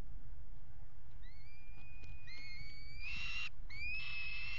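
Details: Peregrine falcons at a water tower nest box on 5 February 2018, pairing on the nest ledge: a few thin, rising, drawn-out whistled calls, the last ones harsher and louder, over a steady low hum.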